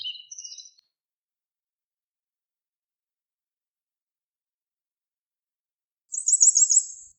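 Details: Grey wagtail song: a few soft, lower twittering notes at the start, a long silence, then a quick, high trill of sharply repeated notes near the end.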